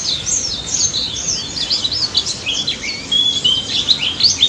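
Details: Pleci daput white-eye singing in the 'ngalas' style, meant as a lure to get silent white-eyes to answer: a dense, continuous high twitter of fast chirps and short rising and falling whistled slurs, with a faint low hum beneath.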